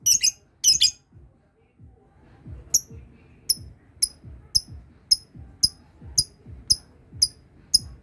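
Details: Lovebird practising the ngekek trill that sets other birds calling: two loud harsh chattering bursts, a pause, then a string of thin, sharp high ticks about every half second over low background rumble.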